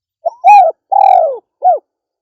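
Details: Female spotted dove (derkuku betina) giving a loud, clear coo: a short note, then two longer, falling hooted coos and a brief closing coo, with nothing else heard.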